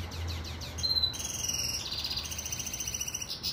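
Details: Captive pintagol, a hybrid of a Venezuelan siskin and a female Belgian canary, singing: quick high chirps, a short clear whistle, then long, rapid, buzzy high-pitched trills that run on steadily, over a low background hum.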